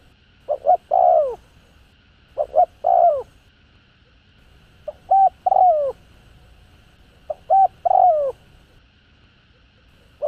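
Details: Spotted dove, a full calling, urging and cooing set meant to stir decoy birds into calling: four three-note phrases, quick double coo then a longer falling note, spaced roughly two to three seconds apart.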